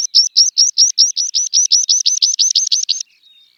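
A meadow pipit gives a run of about sixteen thin, high, even notes at roughly five per second, ending in a faint trailing note.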